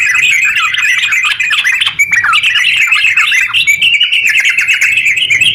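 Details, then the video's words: Sooty-headed bulbul in full song, a long rolling ngeropel style used to stir other bulbuls into singing: dense, continuous chattering and warbled notes run without pause, briefly dipping near two seconds, then resuming as a bright, busy stream. "TERUCk gacor ropel panjang buat pancingan terucu biar bunyi"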